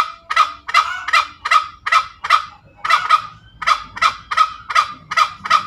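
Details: Ngekek cackle of a tame junglefowl: loud rough rasping notes in quick succession with a few irregular gaps, over faint low background music.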